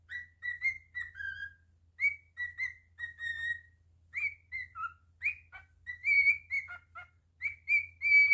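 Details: Pet cockatiel singing indoors: a run of clear whistled notes near the middle register, rising slurs and short falling phrases, repeated in bursts with brief gaps, steady low hum underneath.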